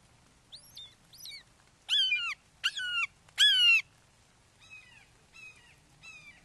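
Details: Red-shouldered hawks at their Wake Forest nest, 08:38 on 29 May 2023, with a father bringing a frog for a fledgling: loud, harsh, downward-slurred kee-ah cries, three strong ones in the middle, softer ones before and after.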